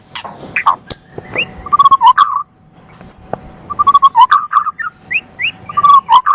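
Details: Loud white-rumped shama song used for tutoring songbirds: low, rich warbled whistles in fast rolling bursts, with a few rising whistled notes and snappy clicks, separated by a short quiet gap.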